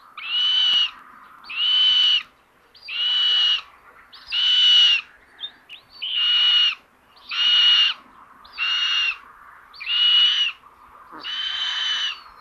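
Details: Early morning at a common buzzard nest in Tiszalök, Hungary, on May 30, 2022, as a sister robs her brother of prey: a persistent series of nine hoarse, buzzy screeches, evenly spaced about every 1.3 seconds.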